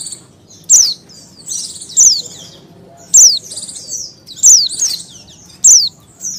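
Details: Oriental white-eye female in breeding condition, calling to attract males: a run of bright, high, downward-sweeping chirps about once a second, mixed with soft chattering twitters.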